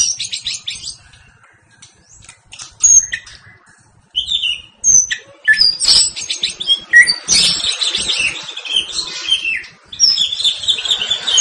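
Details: Rival-provoked white-rumped shama in combative singing style: scattered sharp high whistles and clipped chips with short pauses, building into a denser burst of varied high notes toward the end.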